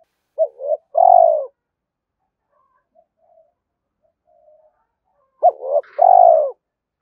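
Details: Spotted dove cooing to provoke wild doves into answering: two low phrases about five seconds apart, each a quick quavering note followed by a longer descending coo; soft faint sounds in the gap.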